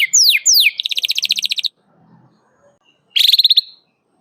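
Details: Singing canary, an aggressive rival-calling bird used as a tutor for young canaries: two quick descending whistles, a fast buzzy trill, silence, then another short trill.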